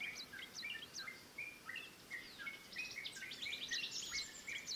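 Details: Malaysian pied fantail young beg as the female feeds them, giving a rapid, overlapping stream of thin, high squeaks and chips, about three a second, over a faint background hiss.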